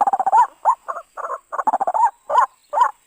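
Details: {'caption': 'White-breasted waterhen calls used to lure birds into traps: a fast stuttering run of clipped notes, then irregular gurgles and harsh bent croaks, all at a mid pitch, over a faint high hum.'}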